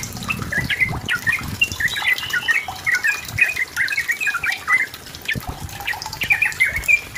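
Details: Energetic song of a yellow-vented bulbul, played as a lure so another trucukan will sing: rapid chattering, gurgling notes strung into busy phrases, pausing briefly, with soft outdoor background noise.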